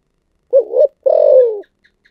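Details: Spotted dove singing in the 'giọng thổ sấm' style. A rolling two-part coo rises at its end, then a long, rough, sustained coo sinks lower. Faint clicks follow in a quiet background.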